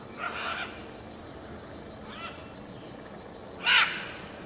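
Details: Raucous calls of great green macaws at Grand View Estates: a rough squawk, a faint short note, then a loud harsh screech, set against steady background noise.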